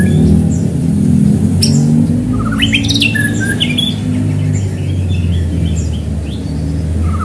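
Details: White-rumped shama song meant to provoke other shamas to sing: a few quick whistled and slurred notes in the middle, then faint scattered notes, under a strong continuous low droning hum.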